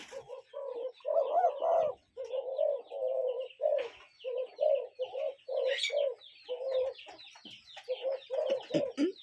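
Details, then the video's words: Cuckoo calling outdoors: a run of low hollow notes, short and long ones alternating in quick succession, with scattered twittering of other birds above. "Relaxing Cuckoo Bird Sound in Nature"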